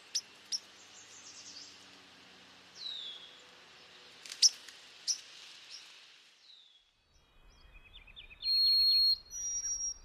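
White-throated Sparrow giving sharp, high chip notes, then a brief run of thin, rapid whistled notes near the end, over a steady rural hiss.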